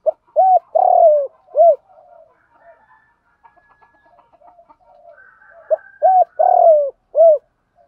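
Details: Spotted dove calls, male and female, for training captive birds: rhythmic phrases of short and long hollow coos, the long note gliding down, with faint murmured cooing filling the gap between two phrases.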